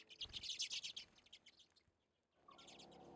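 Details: Redpolls, tough cold-weather finches, visit a back-deck seed feeder in Anchorage, Alaska, in February: a second of busy high chirping, then fading notes, quiet, and a low background hum at the end.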